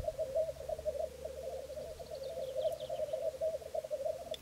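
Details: Black grouse cocks, three of them, displaying at a lek in Florarna early on an April morning in 2013: an unbroken, low, gurgling coo rolls on, over faint, higher, hissing notes.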